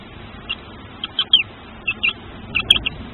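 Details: Hatching tawny owl chick at a nest under camera, uttering thin, high-pitched peeps, some with a slight downward slur, in irregular clusters of two or three, with soft low background hum.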